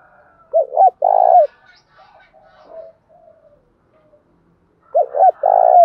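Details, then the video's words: Spotted dove cooing in the Đồng Thổ voice style, used to provoke a rival male into calling: two loud low coo phrases, each a short note pair then a longer throbbing note, about four seconds apart, with quieter murmuring between. "Chim cu gáy thúc đấu giọng Đồng Thổ"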